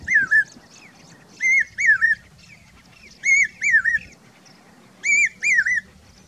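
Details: A common hawk-cuckoo, a summer migrant in Rajasthan, gives shrill, wavering whistled notes in pairs, about every one and a half seconds, over faint background hum.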